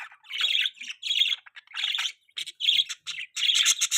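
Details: Budgerigar chatter offered as a mating sound: rapid, raspy warbling phrases in quick succession, some drawn out and some clipped, ending in a dense run of scratchy chirps; no other sounds stand out.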